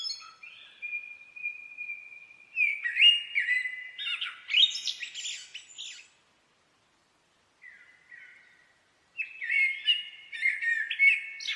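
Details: Common blackbird song in two phrases separated by a pause: a long steady fluted whistle flowing into varied warbling with shrill twittering flourishes, then a second, similar warbled phrase.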